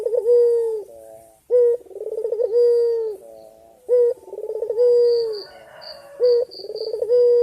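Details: A male puter putih dove gives energetic gacor dor berkua cooing to summon a female. Each phrase is a clipped upward note, a fluttering trill and a drawn-out level coo, repeated steadily, with faint high tinkling notes in the background.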